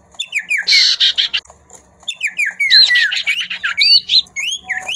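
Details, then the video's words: Common ioras calling back and forth energetically, with rapid whistled and slurred notes rising and falling high, while a female answers with harsh buzzy chattering bursts in quick succession. "sirtu/cipoh gacor bersahut-sahutan & betina nyrecet"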